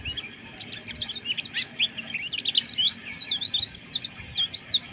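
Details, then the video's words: High, scratchy white-eye chirps rattle out in fast uneven runs, a harsh twitter used to raise breeding arousal, growing louder and denser toward the end over faint background hiss. "Suara Pleci Ngeriwik Kasar"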